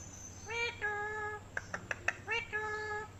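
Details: A parrot speaks in drawn-out nasal voiced syllables, breaks into a quick series of sharp clicks, then repeats two more speech-like syllables.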